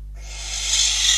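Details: Barn owl at a nest in Catalonia, live cam, 12 December 2021, amid prey deliveries of a bird and a rodent: a harsh, noisy hissing screech that rises in loudness and is cut off after about one second.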